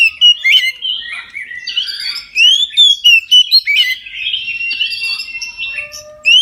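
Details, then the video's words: At midday an Oriental magpie-robin delivers full song, a rich medley of loud clear whistles, sliding notes and sharp chips, with brief breaks between bursts. "KACER NGEPLONG SIANG HARI COCOK UNTUK PANCINGAN KACER AGAR NGEPLONG DAN RAJIN BUNYI"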